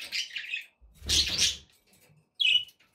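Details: Pet budgies giving scratchy warbled chatter, then a louder rough burst over a low thump, and a final short squeaky chirp.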